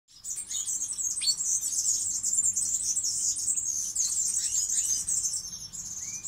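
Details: Several European goldfinches kept for breeding in Poland in 2018, singing together in a continuous, dense, very high twittering chorus of tinkling and buzzy notes, with no pauses.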